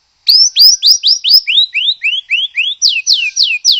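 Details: White-rumped shama singing a loud series of about fifteen clear slurred whistles, each rising or falling sharply, delivered three or four per second, with the later notes sweeping downward; used to get another shama singing.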